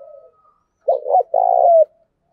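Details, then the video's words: Spotted dove cooing, used to train and lure doves: a soft low coo fades out, then after a pause comes a two-part hollow phrase ending in a longer drawn-out coo, all low-pitched, with a quiet background. "Tiếng cu gáy thúc bổi, tiếng gáy để anh em tập bổi"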